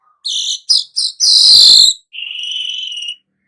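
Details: Weaver song linked to nyerut-style singing: three quick buzzy bursts, a loud rasping sizzle of nearly a second, then a steadier thin buzzing note.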